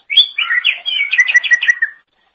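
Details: Greater green leafbird song for training songbirds: one continuous two-second phrase of rapid chattering, slurred whistles, with faint high notes above.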